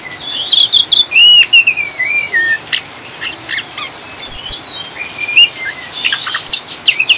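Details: Oriental magpie-robin in 'ngriwik' chattering style, played as a lure to stabilise caged birds, mixed with rain sounds: rapid varied whistles, slurred rising and falling notes and scratchy chirps in quick bursts over a soft hiss.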